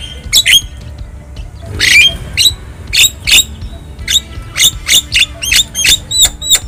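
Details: Javan myna in the wild, a tutoring recording for caged birds: a sharp squawk burst, then evenly spaced clipped hooked whistles, speeding up toward the end, over quiet low hum.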